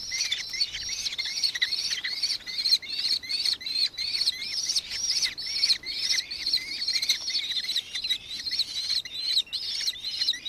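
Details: Nankeen kestrel, Victoria, Australia, 4 December 2024, giving a steady stream of high, piercing ki-ki notes, roughly two and a half a second, evenly loud and continuous throughout with a quiet background.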